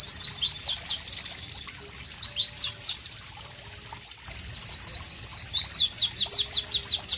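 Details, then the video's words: Pleci white-eye pouring out a loud, sharp masteran song of fast high down-slurred whistles and buzzy trill runs, breaking off for about a second before resuming with dense repeated notes. "Masteran Pleci Bird Sounds Loud, Sharp and Melodious"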